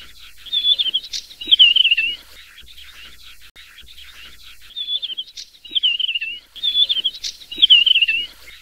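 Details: Desert wheatear (Oenanthe deserti) singing three pairs of phrases. Each pair has a short high piping note and then a wavering, downward-sliding trill, separated by pauses of about two seconds, with faint rustling behind.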